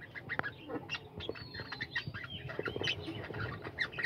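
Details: Many budgerigars kept in a colony aviary, chattering in overlapping warbled chirps and thin whistles with scattered squawks, steady busy calling throughout.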